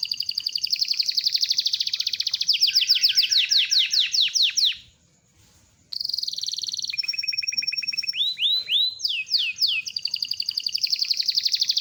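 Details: Long rolling canary song meant as training material, built from fast high trills and buzzy rolls, a brief pause midway, then steady whistled tones and looping upswept notes before a return to rapid trilling.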